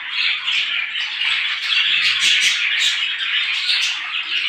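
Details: Morning chorus of small birds: a thick unbroken wash of high twittering and chirping from many birds at once, steady in loudness, with brief sharper accents near the middle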